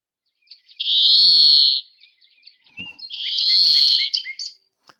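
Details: Greenfinch song featuring the scratchy, slightly excited 'zwee' relied on for identification: two long, wheezy, buzzy drawn-out notes separated by a pause, with a few short chirps scattered around them.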